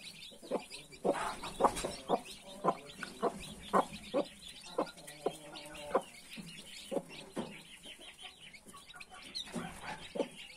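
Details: Mother hen among 31 newly hatched chicks: irregular low clucks and a brief tonal note, fading later, with high chick chirps in the background.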